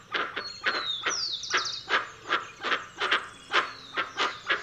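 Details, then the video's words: Dusky-legged guan calling with rhythmic, rough honking pulses, preceded by a sweeping, descending whistle from another bird. "Canto do Jacuguaçu Penelope Obscura"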